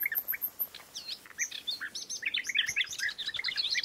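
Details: Dense chattering of European bee-eaters, many short rolling notes tumbling over one another in a steady flock chorus that grows busier toward the end.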